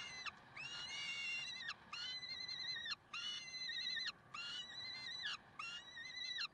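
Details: Peregrine falcons at Karlsruhe, 30 May 2010 at 6:56, give a steady series of about six drawn-out, grating wails. Each lasts roughly a second and ends with a downward slur, with short gaps between.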